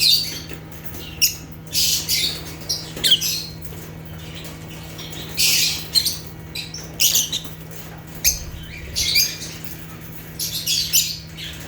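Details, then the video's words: Lively natural chirping from African lovebirds (Agapornis): repeated bursts of shrill, grating chatter arriving every second or two, with short quiet gaps between them and a low constant hum. "Rare African Lovebirds (Agapornis) | Natural Chirping Sounds"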